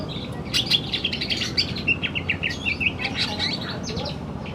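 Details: Male greater green leafbird singing in the afternoon: a lively, varied run of sharp whistled and chirping notes that shift quickly in pitch, with a steady low background hum.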